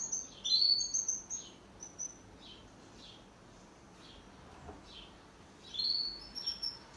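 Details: Caged pet canary singing in duet, opening with a cluster of thin, high twittering notes, then a run of soft descending slurs at a steady pace, ending in another lively chirping burst.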